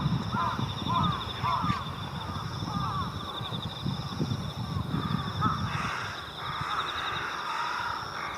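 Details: Mixed flock of Jungle Crows and Carrion Crows gathering on countryside power lines at dusk in early October in Japan before going to their communal roost; overlapping harsh caws from several birds, with steady low rumble and a faint high insect-like drone.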